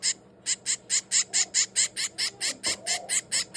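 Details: Loud, evenly repeated high, harsh begging chirps from a hand-fed finch chick aged 22 days, about four per second without pause, with a faint low voice underneath.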